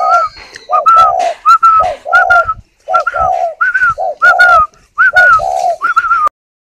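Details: Spotted dove incubating eggs in a bird garden near Hanoi, Vietnam, giving repeated low, burry coos in rapid groups, with a steady whistled tone after each phrase. Sound stops abruptly near the end.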